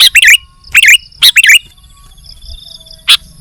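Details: Sooty-headed bulbul in lively song, giving quick paired notes that swoop down then up, in three short bursts, then a single sharp click, over a thin steady high tone.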